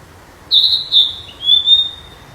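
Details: High, clear whistles from a flycatcher in the wild: loud sustained notes at first, then a thinner, fading whistle.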